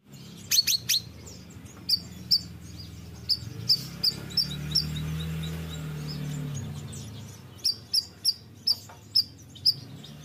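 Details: Bayeman singing actively: a burst of thin high notes, then a run of short, bright, high chirps repeated about every half second, a quieter stretch, and another regular series of crisp chirps over a low steady hum.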